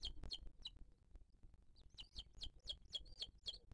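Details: At a booted eagle nest in 2023, as the female feeds her chick, high piping notes come in bursts, at first sparse and then steady at nearly four per second, with soft arched whistles between.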